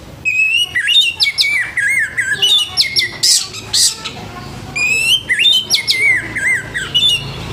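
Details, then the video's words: Orange-headed thrush singing a harsh, loud morning song meant to spur untrained thrushes to sing: varied slurred whistles and rasping notes with rising and falling inflections, delivered in bursts with short pauses, some high buzzy strokes between phrases. "ANIS MERAH NGEPLONG PAGI‼️SUARA KASAR BIKIN ANIS MERAH BAHAN CEPAT BUNYI‼️"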